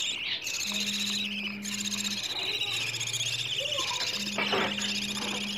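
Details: Food-begging chicks of the budgerigar, a sound played to caged budgies to prompt mating and egg laying. Grating, high buzzy chatter runs almost without pause, over an intermittent low steady hum and a brief click near the end.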